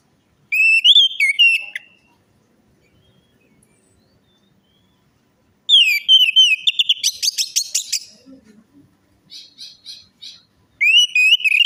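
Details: Orange-headed thrush singing as a lure for a silent or stressed bird: long, varied whistled phrases mixed with rapid trills and chattering notes, with pauses between bouts.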